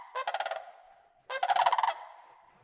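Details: Several sandhill cranes fly overhead in Yellowstone National Park while migrating south. They give two bursts of rolling, trumpeting rattles, each about half a second long, calling together.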